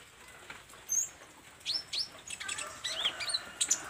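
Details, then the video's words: Olive-backed sunbird singing while practising its learned fill phrases: sparse high thin notes, then sharp upward-sweeping chirps and quick twittering squeaks clustered toward the end. "SUARA BURUNG KOLIBRI NINJA GACOR , BELAJAR BONGKAR ISIAN"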